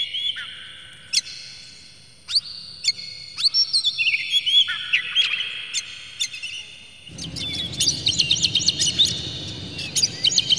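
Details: Oriental magpie-robin lure song meant to provoke singing: bright whistled notes and slurred glides with sharp upward chips, fairly sparse at first, then denser chattering phrases over a sudden rush of low background noise in the second half.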